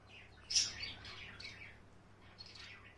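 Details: A pet female white Java sparrow, hatched October 2019, swinging on a swing in the evening, gives one sharp, high chip, then a run of soft, thin twittering chirps, over a faint low indoor hum.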